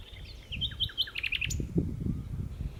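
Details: Common nightingale singing at Berkheide, the Netherlands, 29 April 2018: a rich phrase of quick, sharp repeated chirps and clicks ending in a bright upward note, over steady low rumbling wind noise.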